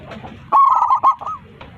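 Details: Local zebra dove calling its flock in a big, full voice. A single loud phrase of rapid, bubbling coos lasting under a second, ending in a short rising note, then quiet.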